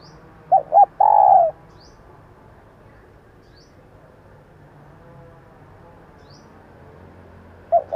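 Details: Female spotted dove calling to attract males, one full phrase of two brief notes then a long, gently falling coo, followed by quiet hum and the start of another phrase at the end.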